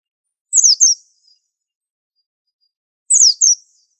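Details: Two paired bursts from a 'super antik' white-eye, the Indonesian pleci used as a unique master: each pair has a sharp falling chirp followed by a softer buzzy note, about two and a half seconds apart.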